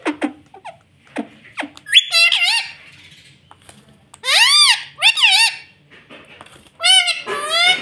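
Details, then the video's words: Pet rose-ringed parakeet that says "mummy": soft clicks, then loud bursts of nasal, rising-and-falling harmonic word-like calls in three groups. "मम्मी बोलने वाला तोता"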